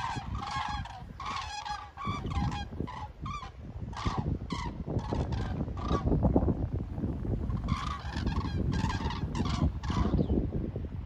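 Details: Over Hillensberg, common cranes in flight call in bursts of harsh, rolling trumpet notes, a pause near the middle, then another cluster of calls, all against gusty background rumble.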